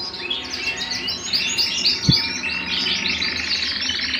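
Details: Home canary song: fast repeated chirps and warbled trills, about four notes per second, with a single low thump midway.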